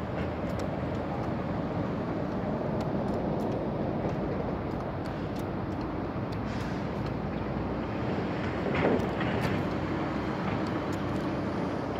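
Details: Steady low rumble of wind and distant vehicle or train noise, with no animal calls standing out.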